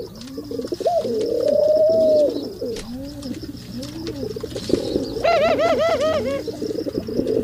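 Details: Several male pigeons in mating season coo together in a dense chorus of low, arching, bubbling notes, one bird giving a longer rising coo, with a fast bouncing series near the end.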